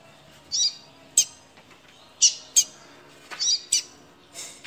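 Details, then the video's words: Caged double-collared seedeater, frightened and trying to escape the cage, giving sharp, high chirps in short bursts, about six notes spaced irregularly roughly every half second to second, with faint background hum. "Chia de coleiro tremendo de medo!"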